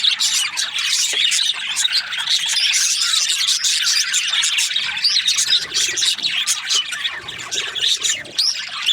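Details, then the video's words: Several budgerigars chirp together, a steady wall of high twittering, rasping squawks and clicks that softens slightly toward the end. "Australian parrot Budgies chirping sounds"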